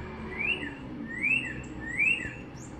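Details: Northern cardinal perched on a wire in spring 2022 on a sunny day in north central Florida, giving three loud slurred whistles, each rising then falling, spaced about three-quarters of a second apart over a faint background hum.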